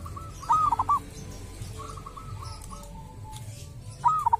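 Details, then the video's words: Wild local zebra dove recorded at a sacred burial ground, its voice described as having its own character: a short gurgling coo of several clipped notes, then a quiet pause and the same phrase again near the end, with steady low noise. "perkutut lokal dari MAKAM KERAMAT ‼️punya suara cirihas tersendiri"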